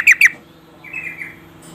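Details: Female yellow-vented bulbul calling a male to prompt his song: two sharp, clear downslurred notes in quick succession, then a fainter, drawn-out warbling phrase.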